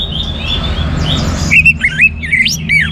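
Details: Orange-headed thrush from North Bali, Singaraja, in full song, offered to spur other birds into singing: after a faint, muffled opening, clear whistled phrases start midway, twisting up and down in quick varied notes over a low background hum.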